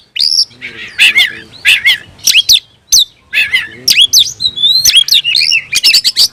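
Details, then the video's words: Loud, varied song of an oriental magpie-robin searching for a rival: rich whistles, harsh buzzy notes and quick chattering bursts, delivered in irregular phrases separated by short silences. "suara burung Kacer mencari musuh"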